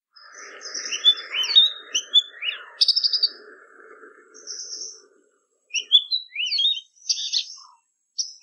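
An Oriental magpie-robin sings a varied string of bright, rising whistles and sharp trills.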